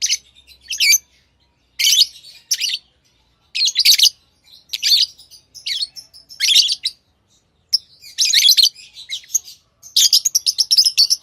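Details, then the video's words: Steady run of lovebird chirping, with sharp, rasping high notes in quick clusters, each cluster of several rapid chirps, and short pauses between clusters throughout. "Love birds Sounds | lovebirds chirping sounds| parrot beautiful sounds"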